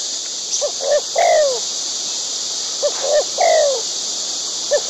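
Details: White-breasted waterhen, wild, tending chicks at the nest: repeated phrases of short clipped low notes, then a strong down-slurred croak, about two seconds apart. A high, steady insect hum fills the background.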